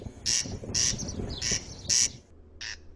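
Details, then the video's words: Corn crake in Ukraine gives harsh, dry, rasping notes in paired bursts, each pair about half a second apart, over a faint low rumble. "This is the voice of Derkach."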